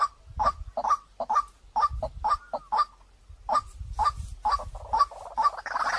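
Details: White-breasted waterhen calling on a lure track meant to attract birds fast: short harsh paired notes repeated in quick bursts with brief pauses, faint low thumps beneath and a rising hiss at the end.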